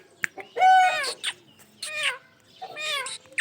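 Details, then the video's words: Pet ringneck parrot giving nasal, falling, harmonic calls in three bursts separated by short pauses, with clicks between them. "amazing sounds of my Ringneck parrot"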